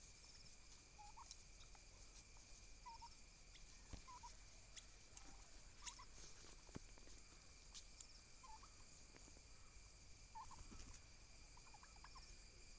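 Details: Domestic turkey toms fighting each other for dominance; short, faint stuttering gobble bursts recur every one to two seconds over a steady background hum, with a few sharp clicks and knocks.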